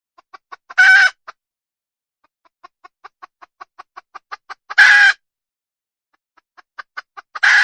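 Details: Female wild red junglefowl repeating a clucking sequence that builds into a strident harsh cry; three such bursts are heard, separated by long runs of quiet regular clucks.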